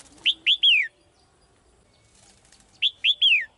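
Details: Caged female bird calling the male with two identical whistled phrases about two and a half seconds apart, each of three arched notes ending in a longer downward slide.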